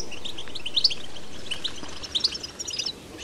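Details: Wild European goldfinch singing in nature, a betbeta-style song: bright, high twittering notes and short sharp chirps in quick bursts, with a steady background hiss.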